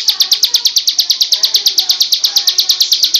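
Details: Bar-winged prinia singing for training songbirds: a fast, even train of shrill, clipped notes, roughly nine per second, each dropping slightly in pitch, clear over a quiet background.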